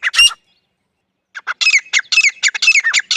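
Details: Grey francolin, local desi bird, gives one loud squawk, then after a short pause a run of harsh, ringing, rising syllables repeated rapidly and unevenly.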